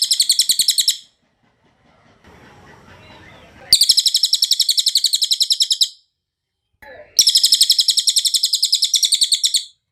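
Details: Cililin song made as a clear-voiced tutor recording for training and calming captive songbirds: bursts of rapid, evenly repeated bright metallic notes in a fast rattling trill, broken by pauses, with a soft rushing water-like noise in one gap.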